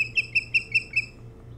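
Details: Osprey at the Hog Island nest near Bremen, Maine, captured by a nest cam on 3 July 2018 shortly after 4:36; six piercing whistled notes in quick, even succession, then quiet apart from a soft steady hum.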